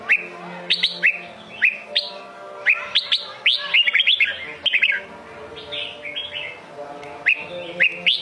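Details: Sông Kôn style song from a red-whiskered bulbul: lively sequence of clear upslurred whistles and fast tumbling notes, phrases repeated with short breaks, a softer warble midway, low hum in the background.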